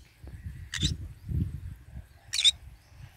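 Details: Green-cheeked conure eating and basking in the morning sun, giving two short, harsh, broadband chirps about a second and a half apart, with low crunching and rustling noises between them.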